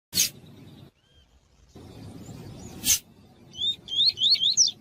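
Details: Double-collared seedeater giving the tui-tui song: two sharp clicks, then a quick run of about five high, swooping whistled notes near the end, over a low background rumble; used to warm up coleiros.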